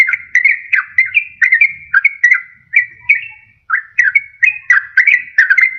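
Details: Sooty-headed bulbul lure song used to attract wild birds and make reluctant birds sing: a steady stream of clear whistled notes, each slurring up or down, delivered in a lilting, bubbling rhythm.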